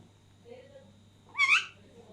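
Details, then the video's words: Alexandrine parakeet during food sharing among three birds: faint low murmur followed by one brief, loud, rising shriek. "Two alexander parrots sharing food while third one is laughing."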